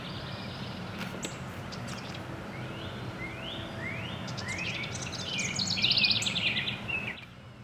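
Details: A wren, recorded 5-3-24, sings a quick series of rising, slurred notes that break into a fast, high, bubbling trill, over a steady low background rumble.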